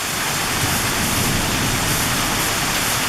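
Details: Steady heavy rain pours down with a constant broadband hiss and no animal calls.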